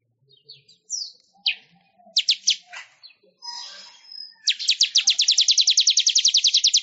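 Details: Weaver (manyar) song meant for training songbirds: scattered sharp chirps and short rattles, building into a long, fast, evenly repeated series of high buzzy notes.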